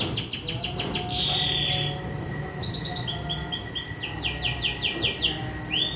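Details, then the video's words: A young canary, just past the juvenile stage and in full song, sings rapid high down-sweeping notes, a long steady whistle and rolling trills over a low background rumble. "SUARA KENARI LEPAS PAUD ANGKATAN GACOR"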